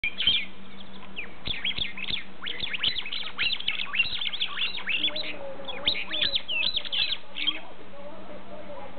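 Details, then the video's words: Noisy mynas in a tree near the village of Sarjapura, about 50 km from Bangalore, chatter in a busy run of harsh squawks, whistles and clicks, several calling at once, over a low steady hum. "Noisy Mynahs"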